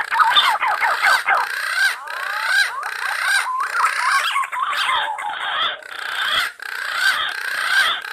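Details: Wild green pigeons calling actively: a dense chorus of overlapping whistled notes, many sliding up and down and looping, forming a continuous warbling tangle with brief dips in loudness.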